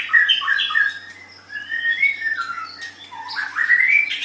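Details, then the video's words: Pet white-rumped shama in song, giving a jumble of squawky, slurred notes and short whistles with pauses between bursts, indoors with a low background hum. "Suara Burung Murai Batu"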